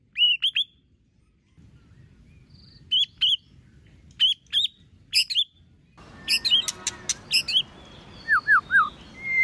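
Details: White-rumped shama delivering competition-style song, short bright phrases of two or three rapid whistled slurs repeated at intervals, later joined by sharp clicking rattles and a trio of falling whistled notes over faint hiss.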